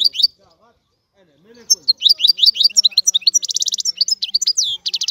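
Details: European goldfinch singing: a short chirp, a pause, then a rapid liquid twitter of high, quick notes that builds into fast buzzy trills and tinkling phrases, with no other sounds.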